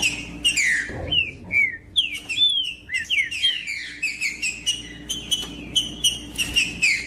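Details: Trinca-ferro, the green-winged saltator, singing to stir a cold caged bird into song; rich downslurred whistles strung together continuously, some notes rising then dropping, with sharp high clicks between phrases and low background hum.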